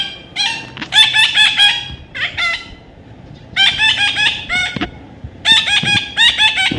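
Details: Baby parrot during taming, giving bursts of harsh, nasal squawks in rapid runs of four to six notes, with pauses between bursts and quiet background hum.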